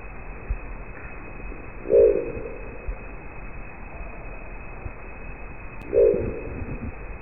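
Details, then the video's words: A rare Crested Owl of the northern Brazilian Amazon, which lives high in the trees, is recorded awake during the day though nocturnal, giving two deep, gruff, croaking growls about four seconds apart over a steady low hiss. "Este é o canto da coruja de crista, como vocês podem escutar."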